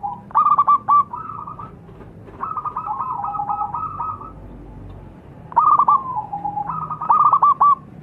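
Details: An actively singing zebra dove, recorded as a lure sound, gives its bubbly, staccato cooing song, a rapid string of soft chuckling notes ending in a drawn-out trill, repeated in two bursts.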